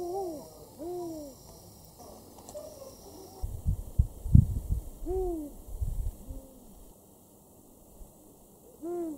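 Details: Two spotted eagle-owls call to each other for a long while close to a camp in Tembe Elephant Park, KwaZulu-Natal, South Africa, in July 2019. They trade soft, low, arching hoots, each a brief rise and fall, and low rumbling noise intrudes midway.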